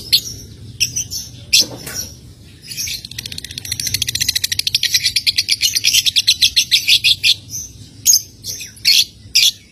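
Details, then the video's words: Lovebird ngekek trill used to get young lovebirds singing: a long, fast, buzzy series of high chattering notes that speeds into a steady rattle, opened and closed by separate sharp chirps. "LOVEBIRD PAUD NGETIK SAMBUNG NGEKEK"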